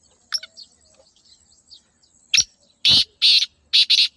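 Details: A black francolin's call follows a few faint, soft chirps. It has five loud, rasping, grating notes: an opening click-like note, two longer harsh notes, then a quick double.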